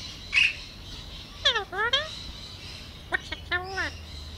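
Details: Talkative pet Alexandrine parakeet answering its owner: a brief squeak, then two pairs of quick descending, harmonic swoops, amid the man's repeated "hello" and "what you doing".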